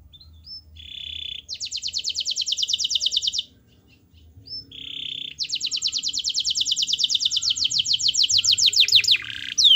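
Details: Canary singing to lure a lazy canary into song: two long, rapid rolling trills of evenly repeated notes, each opened by a short buzzy note and separated by a brief pause.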